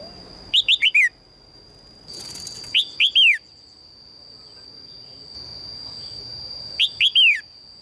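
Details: Calls of a female red-whiskered bulbul seeking a strong male: three quick phrases of bright, slurred, downward chirps, each of three or four notes, spaced a few seconds apart, with a steady high hum behind.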